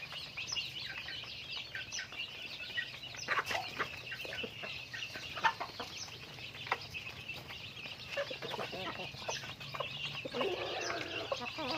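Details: A flock of chickens in their daily routine, giving a continuous chatter of high peeps mixed with low, dull clucks and a few louder squawks near the end.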